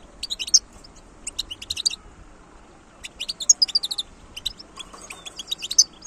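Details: European goldfinch of wild origin, 2022, singing a chattering, tinkling song in clipped high bursts, about four phrases with short silences between them, against a quiet background.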